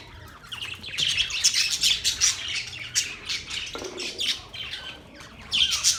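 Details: Quiet start, then budgies break into fast, chattering chirps and squawks, dense and irregular, briefly easing before a final loud burst.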